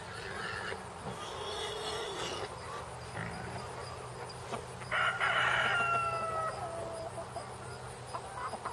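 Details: Chickens let out of a mobile coop onto fresh pasture cluck and call outdoors, with one clear rooster-like crow rising above the flock; pigs may be audible in the background.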